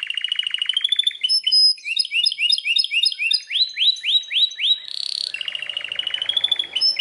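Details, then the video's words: Loud song of a Belgian canary, starting with a rapid buzzy roll, then ladders of rising, stacked chip notes and a string of swooping upslurred whistles, ending in another steady trill. "o canário belga canta muito forte"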